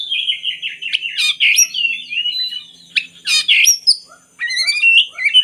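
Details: Oriental magpie-robin, sung to coax lazy birds into song: a bright whistled phrase sliding downward, two loud buzzy bursts, a pause, then clear stepped whistles rising and falling with soft lower notes.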